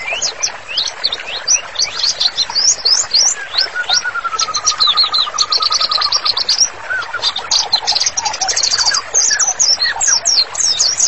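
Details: White-rumped shama singing hard, a master track for therapy: busy, high chips and trills over a sustained, gently wavering mid-pitched whistle, then fast high rattles.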